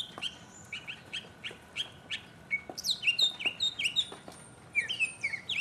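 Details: Solo mockingbird song from 2015: a run of repeated slurred mid-pitched notes, each phrase given several times, then a switch to higher, rapid sweeping notes in varied clusters with short pauses, clear against a quiet background.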